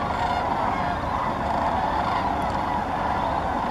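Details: Sandhill cranes gathered in large flocks at Muscatatuck National Wildlife Refuge, Indiana, produce a short stretch of dense, continuous rolling calls from many birds together, a uniform chattering clamor.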